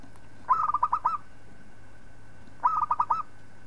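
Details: Local zebra dove song for schooling other birds: two lively phrases of five or six soft, rolling coos, about two seconds apart, with a faint electrical hum throughout.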